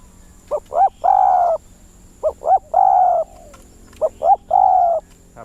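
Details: A captive Spotted Dove used as a decoy bird, whose calls the owner finds weaker and quieter than before, gives three soft coo phrases, two short rising notes then a longer drawn-out coo, repeated about every 1.7 seconds over a faint steady hum.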